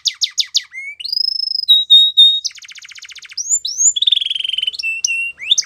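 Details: Canary singing a varied, clean song: quick falling chirps, sustained whistled notes, a fast buzzy trill, then rising slurs and rapid repeated notes, with no background noise.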